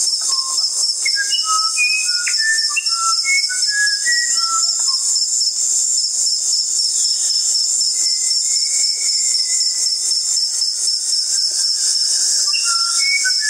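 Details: Musician wren whistling clear notes at varied pitches in a rambling phrase, then a long gliding tone, all over a loud continuous high-pitched insect chorus.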